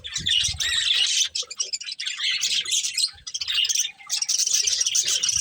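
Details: A breeding pair of budgerigars eating and chirping; loud scratchy warbling chatter in three or four bursts with brief breaks, low knocks near the start.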